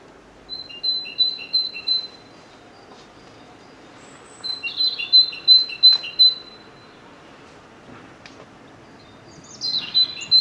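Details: Great Tit heard at moderate distance giving short runs of two-note phrases, a high whistle alternating with a lower one, in several separate bursts with quiet gaps between them.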